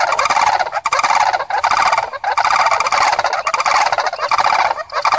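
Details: Common crane calls, dense overlapping rolling trumpet-like notes with rich harmonics sounding almost continuously, as if several birds call together, with brief dips in loudness.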